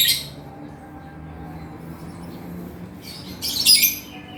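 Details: Shrill chattering from a male 'gacor' lovebird in 'ngekek' style. A brief harsh squeak opens, followed by near silence with low hum, then a louder burst of grating high chatter late on.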